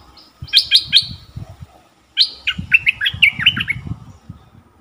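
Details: Caged Stripe-throated Bulbul acting as a decoy for wild birds in forest, 2021: three sharp, ringing notes, a pause, then a rapid warbled phrase over low knocking sounds.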